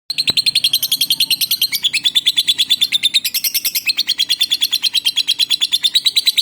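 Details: Lovebird from Palembang, a kept bird whose song serves as a lure to get other male and female lovebirds singing. It gives a long, rapid run of sharp, high chirps, steady and unbroken, with a brief click near the start.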